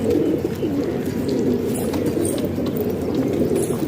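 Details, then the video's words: Cooing from a group of house-kept pigeons in Pakistan: deep, wavering coos overlap in a dense, steady chorus with a few soft clicks. "Pigeon Sound"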